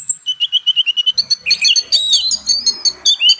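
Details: Purple-throated sunbird song for tutoring Oriental magpie-robins: an evenly spaced string of short high notes, then tangled buzzy twittering and slurred whistles at a high pitch.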